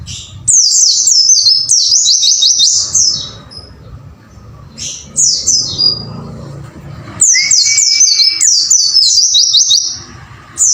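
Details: Caged-bird training recording of white-eye song, 'wucit wucit' style: three bursts of high, rapid descending notes with quiet gaps, a short level whistle during the last burst.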